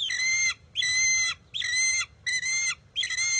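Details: Bald eagle eaglet at the nest, unwilling to share a fish its mother grabbed; five loud, high, drawn-out whistled squeals with rich overtones, each about half a second long, repeated at regular intervals.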